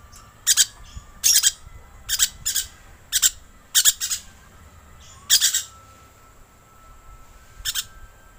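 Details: Lure call of a green lorikeet, with loud, rasping shrieks that come singly or in quick doubles about every half second to second, then pause, over a quiet background.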